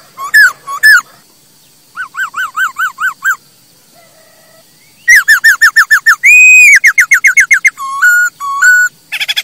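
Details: Masked laughingthrush song for training birds to sing: loud whistles, a series of short wavering notes, a soft low note, then rapid repeated whistles, a sustained high note and harsher calls.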